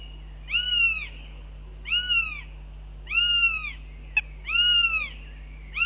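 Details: Northern goshawk nest on live cam, 9 June 2021, breakfast time, the male being told off after dropping in; loud, nasal, down-curving wails about every one and a half seconds, five in all, one sharp click between, low background hum.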